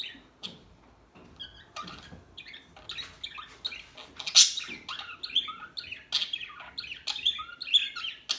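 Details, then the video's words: Soft, somewhat distant bird chirping: scattered high tweets and short twittering notes that grow busier after three seconds, one loud sharp chip near four and a half seconds. "صوت العصافير الهادئة Bird sounds"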